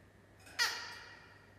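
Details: A thirsty white-browed babbler perched on a Gugabul at Griffith Pioneer Park Museum gives a single harsh, scratchy note, loud at the start and fading over half a second, against a quiet background.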